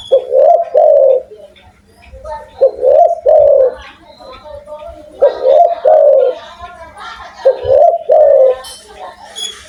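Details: Spotted dove from Indonesia with a big voice, giving four bursts of low coos, each a short swelling phrase, separated by quieter gaps with faint speech-like murmurs and high chirps.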